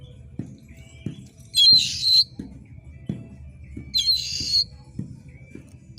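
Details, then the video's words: Oriental magpie-robin (kacer) giving harsh screeches meant to stir competition birds: two loud rasping buzzy bursts with a thin whistle before each, over regular soft ticking. "suara KACER GACOR JERIT TAJAM‼️cocok mendongkrak emosi kacer di gantangan"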